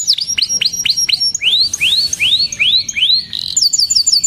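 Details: Canary song opening with quick rising-and-falling whistles, then slower, fuller arched notes, ending with a high rapid twitter.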